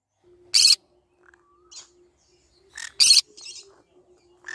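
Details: Green-cheeked conure giving two loud, harsh, raspy screeches about two and a half seconds apart. Shorter, softer squawks and chirps fall between and after them, over a faint steady low hum.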